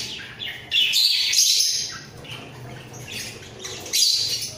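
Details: A breeding pair of budgerigars sings in their cage, heads bobbing. Shrill, grating chirps and squawky warbles run in loud waves, fading and then rising again near the end.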